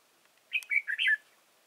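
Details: Decoy red-whiskered bulbul singing during bird trapping at Chùa Hương, Vietnam, on 31 March 2018: one quick phrase of four bright, bubbly whistled notes, mid-high and wavering, under one second long, with a quiet background.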